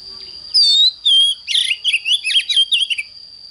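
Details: Morning song of an oriental magpie-robin, 'căng lửa' style: two long falling whistles, then a burst of rough, warbling, rapidly changing notes, over a steady high-pitched hum.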